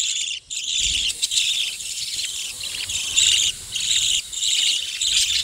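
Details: Pet budgerigars calling in a colony cage setup kept for breeding, giving a steady stream of high, scratchy warbling chatter with brief pauses.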